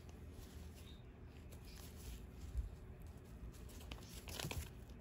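Quiet tearing and crinkling noises with soft knocks in a small indoor room, and no animal calls.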